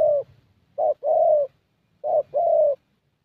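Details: Young Spotted Dove of the thổ kind with a fairly good voice, decoy session, Gia Lai, Vietnam; hollow coos in short-long pairs, three phrases spaced about a second apart.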